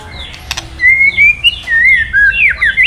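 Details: Male white-rumped shama stirred by recorded provoking calls, answering with clear whistled phrases: long level and gently rising notes near the middle, then quick upward-sweeping and dipping whistles, a couple of sharp clicks early.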